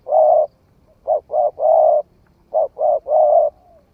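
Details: Spotted dove recently come into voice, trialled in forest: one long coo, then two quick phrases of a pair of short notes leading to a drawn-out steady coo, closely spaced.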